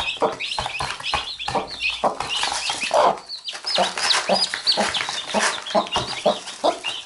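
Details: Mother hen and chicks: repeated low clucks with one longer, louder call midway, surrounded by steady high-pitched peeping of many chicks.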